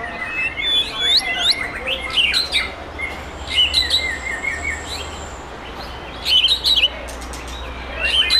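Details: Caged white-rumped shama of wild Sumatran forest origin singing at a bird song contest in Bengkulu: clear whistled notes, sweeping upward slurs and rapid trills in bursts, with a faint steady high tone and low background hum.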